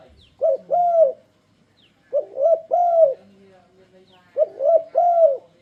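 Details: Spotted dove singing to lure other doves into singing along: three phrases of soft, mellow cooing, each a short lead note followed by a longer double coo, repeated about every two seconds, with faint background rustle.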